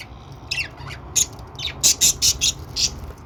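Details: Cheerful budgerigar chatter: a few rising squeaks, then a rapid series of five or six loud scratchy chirps close together near the middle, against a faint low hum.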